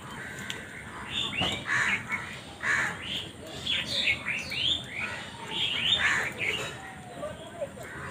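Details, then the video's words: Several crows call in a natural setting, giving a busy run of rough, nasal caws that overlap and repeat through the recording, some rising then falling, over a constant hiss with faint other bird chirps. "Crow ki Awaz Naturally"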